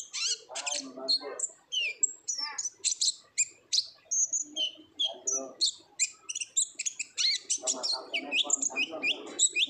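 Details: Olive-backed sunbird song of the ngobra type, a lure for untrained birds: dense rapid chattering, piercing high notes and buzzy trills in quick succession, faint lower sounds under some notes.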